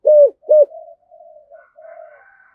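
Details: Spotted dove cooing in the thổ voice, cúc đinh calling style: two loud, round hoots in quick succession trailing into soft, low drawn murmurs, with faint higher chirps of another bird at the end.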